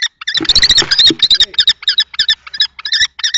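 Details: Two male common kestrels fighting over a nest box at Théding in March 2024; loud grating calls over scuffling noise at first, then clearer rapid repeated notes.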